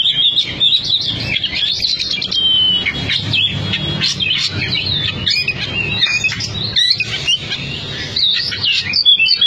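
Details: Caged Oriental magpie-robin, once a top bird on a Cianjur competition team, pouring out rapid whistled phrases mixed with harsh buzzy notes and clicks, continuous and energetic throughout, low hum beneath.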